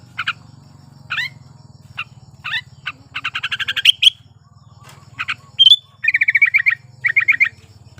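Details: Breeding-condition Sooty-headed bulbul singing to coax silent birds into song: isolated sharp chirps, then a rapid buzzy trill rising to a bright whistle, followed by quick rattling series of repeated notes, with a faint steady hum beneath.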